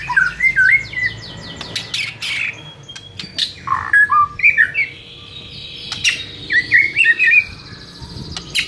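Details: ['White-rumped shama song played to provoke another shama: quick warbled phrases, sharp clicks and twittering notes in bursts with short gaps.']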